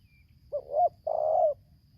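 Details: Spotted dove (tekukur) in Lampung, Indonesia, recorded during decoy trapping of a wild bird singing the tarik akar selang nguku style: one low cooing phrase, a short wavering double coo then a long level croon, quiet background.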